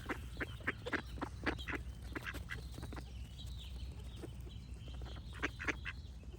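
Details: Several ducks give rapid, uneven runs of raspy quacks, about four per second at times, with a constant low hum underneath.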